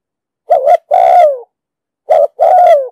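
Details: Spotted dove giving 'đồng sấm'-style coos, used to lure birds for trapping; two phrases, each opening with a dipping double note and ending in a sustained coo that slides lower, no background sounds.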